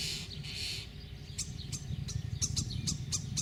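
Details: Common starlings (Sturnus vulgaris) feeding their young, giving harsh, scratchy high calls in quick bursts, about four a second, over a steady low rumble.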